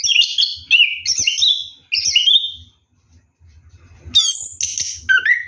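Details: Bathing at night, an orange-headed thrush gives ngeroll song: three loud scratchy warbled phrases, a short pause, then sharp high squeaky notes and a downward slur.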